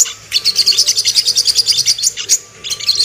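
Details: Ruby-cheeked sunbird song played to stir birds into arousal and aggression: a fast series of sharp, high-pitched ticking chirps, a short pause, then the chirping resumes.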